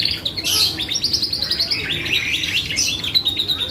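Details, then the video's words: Vigorously singing canary, used as a lure to provoke other birds into answering: rapid high rolling trills and buzzy chirps, densely repeated with short bursts of very high notes, continuous throughout. "PANCINGAN BURUNG KENARI GACOR"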